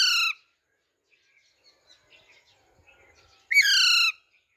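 A young Alexandrine parakeet gives two loud, harsh, rasping squawks about three seconds apart, with faint soft chatter in between.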